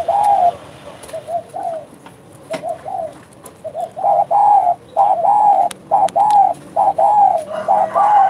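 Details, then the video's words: Spotted dove, called derkuku, in active 'bekur' cooing: soft low coos that start sparse and quieter, then build into steady, louder rounded notes repeated roughly once a second toward the end. "derkuku gacor bekur bekur"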